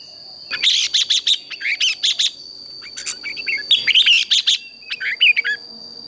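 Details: Red-whiskered bulbul, a fighting-song training recording made in the morning: dense runs of rapid, sharp chattering notes in pulsed series, broken by brief warbled whistles, with a steady high-pitched whine underneath.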